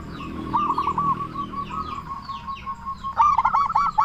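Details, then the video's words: Zebra dove of local stock, calling loudly to draw other doves into answering; a rippling run of looped coo notes, a brief pause, then a louder burst of quick rolling notes over a low background rumble. "Perkutut Lokal Gacor SUARA BESAR Ahlinya Bikin Semua Burung Perkutut Langsung Nyaut"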